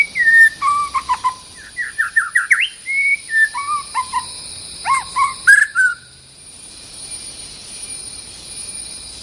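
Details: White-rumped shama, a territorial male facing a rival, singing varied whistled phrases: clear slurred notes rising and falling, some short chirps, over a steady high electronic hum, ending in several seconds of quiet.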